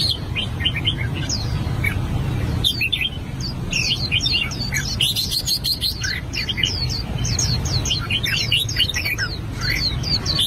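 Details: Song practice from an albino red-whiskered bulbul, long run of rapid bright chirps and whistled slurs with occasional brief clicky bursts, steady low-pitched rumble underneath.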